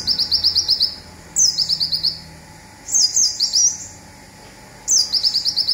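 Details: Olive-backed sunbird, local Indonesian bird, singing the rapid "zipper" (tembakan) phrase used as master song for training songbirds: a high sharp downslurred note followed by a fast ticking run of about eight notes, repeated four times with short pauses.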